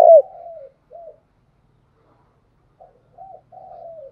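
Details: Decoy spotted dove cooing to lure wild doves: a brief loud note leads into a soft, trailing coo, then short gentle coos separated by silence, ending in a long, gently falling coo.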